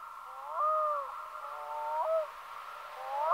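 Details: Black-throated loon calling: clear, wailing tones with rich harmonics that rise and step up in pitch, then hold before dropping. The phrases repeat about every one and a half seconds over a steady background hiss.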